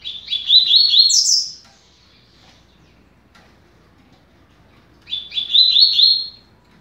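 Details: Two fast trilled phrases from a double-collared seedeater, 'rápido de bico' style, played to teach young birds. The first ends on a high upward flick, and a long quiet gap separates the two.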